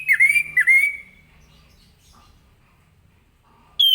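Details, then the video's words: 'Ngeplong' morning song of an orange-headed thrush, meant to make other birds respond: two loud swooping whistles in quick succession, a quiet stretch, then one abrupt clear whistle at the end. "Anis Kembang Ngeplong Gacor di pagi hari"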